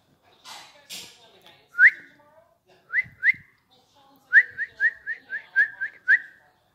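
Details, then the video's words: Pet parrot, called tota or mitthu, giving short rising whistles after a few noisy sounds. Single and paired notes come first, then a quick series of about eight similar upslurred whistles, each ending in a short held tone. "Mitthu Mitthu Mitthu / Mithu Mithu Mithu / Tota Tota"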